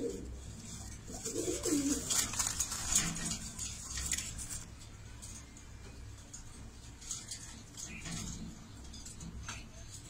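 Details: One of a black domestic pigeon pair gives a brief, low, throaty coo early on, which then fades under steady hiss and rustling background noise.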